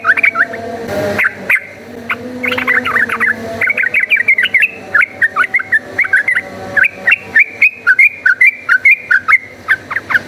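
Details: Yellow-vented bulbul delivering lively fighting-style song meant as a lure, a long string of short, liquid, bouncing phrases repeated in quick succession for about ten seconds, with faint humming underneath.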